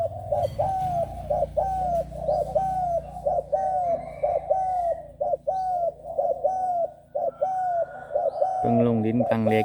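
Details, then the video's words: Young trained spotted dove, six months old, of the Bang Kaeo Tai line, giving soft low coos repeated about once a second in a steady run, with a man's voice and a clatter near the end. "นกเขาใหญ่ บางแก้วใต้ #นกฝึกเสียงเล็ก สดๆร้อนอายุ6เดือน"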